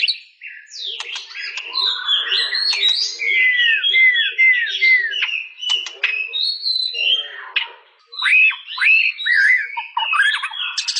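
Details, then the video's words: Caged white-rumped shama (murai batu) singing a varied song of whistled, looping notes, slurred arcs and sharp clicks, with rapid bursts and rising-falling phrases through the clip. "Suara burung murai batu"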